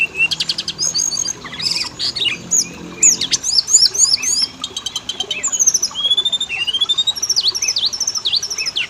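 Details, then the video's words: Lure recording of kacer (Oriental magpie-robin) singing, used to prompt males and females to respond: crowded high whistles, downward sweeps and rapid stuttering chips, growing into steady repeated notes toward the end. "Pancingan burung Kacer; jantan betina langsung bunyi"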